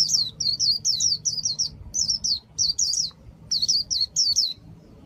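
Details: Vietnamese caged Japanese white-eye delivering líu-style song, grouped runs of bright high twittering down-slurs, four or five per burst, separated by brief silences, with light room hum underneath.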